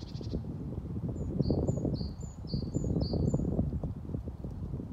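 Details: Great tit, one of many around the Ryggis trail in Haga on 28 February 2024, singing a high, thin two-note phrase repeated five times about every half second, partly masked by a strong low rumble of wind or handling noise.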